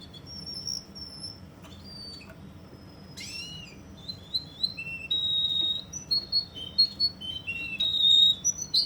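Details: Russian canary in Kuwait: soft high whistles at first, then a sharp rising sweep and a run of loud pure whistled notes and short trilled phrases, varying in pitch, over a quiet background hum.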